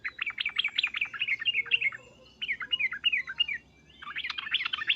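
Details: Yellow-vented bulbul giving loud, agitated 'uplik-uplik' calls: rapid, rolling, slurred notes in three bursts separated by short pauses.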